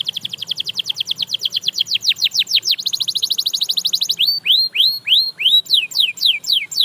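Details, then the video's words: Singing canary said to inspire others to sing: rapid rolling trill of descending sweeps speeding up, followed by slower repeated upward-curving whistled slurs, loud and clear against a quiet background. "Watch How This Canary Inspires Others to Sing Again!"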